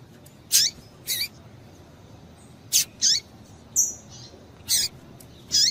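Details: Female double-collared seedeater calling to stir up males, giving about eight short, buzzy high chirps, some single and some in quick pairs, plus one thin drawn-out whistle midway.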